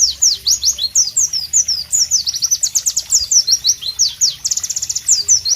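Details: White-eye (pleci) singing loudly in tropical ambience: a rapid, continuous stream of high, sharp, melodious downslurred chirps and whistles, with fast trilled runs, over faint low background hum.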